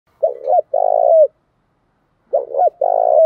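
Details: Spotted doves, male and female, used to stimulate cooing in trained birds; two loud low coos at about 600, each a short double note followed by a longer drawn-out coo, separated by a two-second pause.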